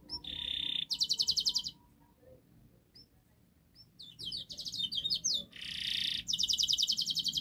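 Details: Singing canary on a master track to make a quiet canary sing: short bursts of fast high trills and a buzzy note separated by pauses, soft background hum and faint notes.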